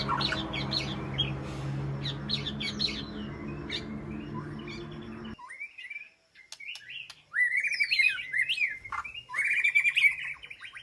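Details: White-rumped shama in an aviary sanctuary calling to its flock: a busy, noisy stretch of chips, then a pause and rich, varied warbled whistles with sharp sweeping notes.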